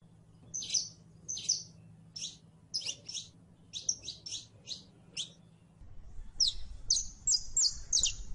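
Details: Saffron finch song made of bright, high chip notes delivered in loose sequence, ending in a faster, ringing series of whistled syllables; soft background hum throughout.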